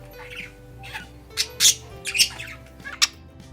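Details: Pet budgerigar (Melopsittacus undulatus) warbling in bursts of scratchy, high chirps and squeaks, several sharp peaks in under four seconds, over soft background music; this song signals a happy, excited bird, often while playing.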